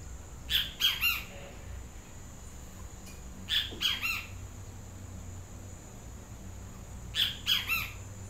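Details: Great kiskadee with a yellow crest gives a loud three-note squawking call, repeated three times about three seconds apart, over steady background hiss.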